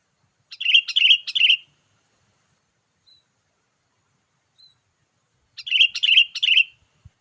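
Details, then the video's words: Sooty-headed bulbul calling energetically, a recording used to lure wild bulbuls: bright, bubbly three-note phrases near the start, a long pause, then another three-note burst, each note slurred and warbling, with a faint thump at the end. "memikat burung kutilang dengan suarany yang gacor"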